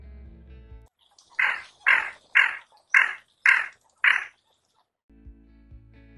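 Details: A tufted duck, a diving duck of northern Eurasia, gives six harsh, growling 'karr' calls, each about half a second long, in quick succession. This call is the female's and is mostly given in flight. Soft music plays before and after.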